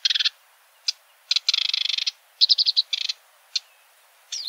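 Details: Singing sedge warbler delivering a varied mix of harsh buzzy trills, rapid stuttering notes and isolated clicks, ending with a rising whistled slur.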